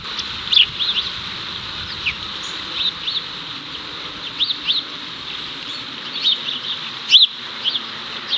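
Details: House sparrows in Chicago, 2024: a male calls a female over and they catch cicadas. Short, scattered chirps come a few each second or two over a steady, high buzzing drone of cicadas.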